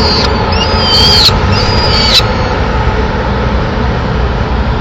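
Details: Female peregrine falcon entering her Madrid nest on 27 April 2016 to find food for the chicks; two drawn-out wailing calls, then a quieter stretch of low background rumble.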